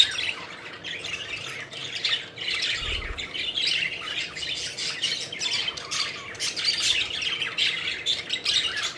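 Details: Several pet budgerigars playing and flying about, a steady dense chatter of squawky, scratchy chirps and warbles overlapping throughout, with a brief low thump near the middle.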